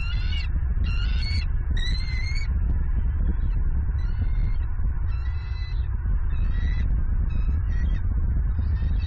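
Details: Southwest Florida bald eagle female, November 27, 2022, screaming while taking prey delivered by the male. Loud clusters of high, whistled, stuttering chirps come strongest at the start, then trail off into softer bursts beneath steady low wind noise.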